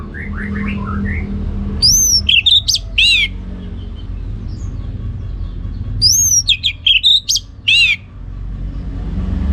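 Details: Orange-headed thrush singing in the ngeplong gacor style. Two loud bursts of ringing whistled slurs mixed with sharp chips are split by a few seconds of quiet, with faint soft notes at the start and a steady low hum.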